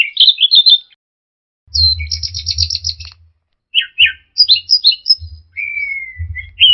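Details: Song of an orange-headed thrush, used for caged-bird training: a twisting whistled phrase, a long buzzy trill, tumbling slurred notes, then a drawn-out descending whistle, accompanied by intermittent low rumbling thumps.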